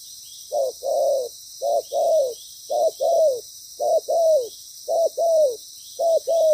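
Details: Trapping decoy spotted dove cooing loudly in its practised pattern, a clipped note then a longer coo that slides downward at the end, six pairs evenly repeated, with constant high hiss in the background.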